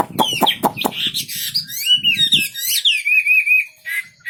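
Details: Wambi bird singing prolifically: a run of bright, quick whistled notes that wobble and slide, with a trilled phrase near the end, after several low, dry pulses at the start.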